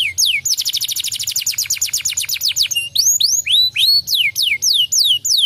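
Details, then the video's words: Canary song used as a lure to provoke another canary to sing: a rapid trill of steeply falling high notes, then loud looping down-slurred whistles repeated about three times a second, with a faint low hum beneath. "Kenari Ngetem langsung emosi dengar pancingan kenari ini"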